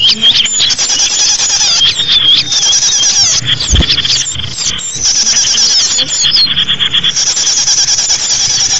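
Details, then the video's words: Lure recording of small birds chattering together: an unbroken wash of high squeaky chirps and thin whistles, many callers overlapping, with a single low thump partway through. "SUARA BURUNG UNTUK PIKAT BURUNG KECIL"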